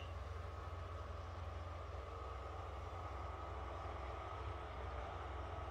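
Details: Steady broadband rumble like traffic or engine noise throughout, with no animal calls standing out.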